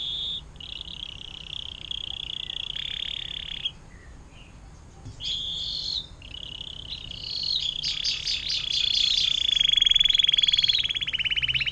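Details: Atlantic canary singing a long 'air mancuran' (fountain) style song used to tutor other songbirds; high, sustained buzzy trills and whistled notes, ending in a loud, rapid rolling trill that builds over the last seconds.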